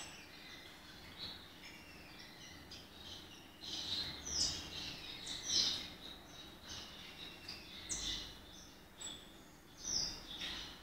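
Soft, hissing Gouldian finch song with thin high whistles and buzzy phrases, coming in brief bursts every couple of seconds over a steady background hiss.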